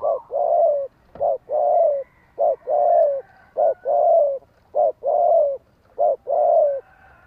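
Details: Spotted dove cooing in the rural thổ đồng voice, used to stir newly caught doves and train decoy birds. Soft, low, hollow coos come in rapid pairs, a short note and then a longer slurred one, repeated steadily through the clip.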